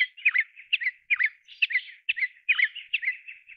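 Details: Grey-chinned minivet calling in quick bursts of sharp, slurred chirps, two or three notes at a time with brief gaps, repeated continuously over a quiet background.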